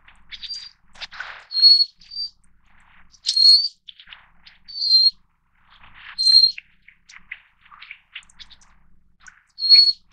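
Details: Taiwan's endemic Little Forktail subspecies, Enicurus scouleri fortis: piercing high whistles, some paired and slightly downslurred, roughly every one and a half seconds, with scattered quieter ticks and a brief lower rasp early on.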